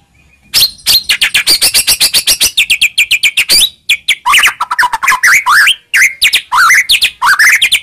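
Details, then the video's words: Song of a white-rumped shama meant to draw a reply: a long rapid series of sharp repeated chirps, then varied rising and falling whistled notes in quick succession. "Pancingan Begini Yang Disukai Murai Batu Seketika Langsung Nyaut"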